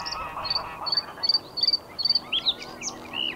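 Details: Male bluethroat singing in spring from a post close by, in May when most are breeding: a run of short, thin, high notes repeated about three times a second, then varied squeaky and slurred phrases over a soft background hiss.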